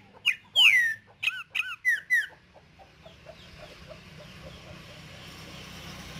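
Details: A green-winged saltator singing in nature, in the song type called "tempera viola", gives a loud phrase of about six clear, slurred whistles, falling and bouncing, over roughly two seconds, then fades into soft background birdsong and hiss.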